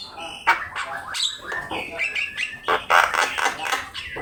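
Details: Javan myna song from a master recording for bird training: chattering, squawky notes repeated quickly with mid-pitched whistled slurs, busy and rough.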